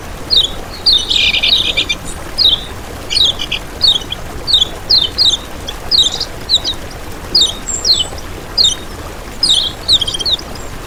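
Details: Kecial kuning, a small yellow songbird, recorded as a lure for attracting others of its kind: rapid high chirps and short twittering phrases in bursts about every half second, over a faint steady hiss.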